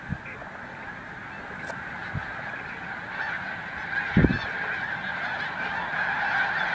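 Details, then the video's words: A huge flock of snow geese erupting into flight at Montezuma, New York, on 7 March 2023: a dense roar of overlapping nasal honks with a few low thumps above the din. "erupting snow geese"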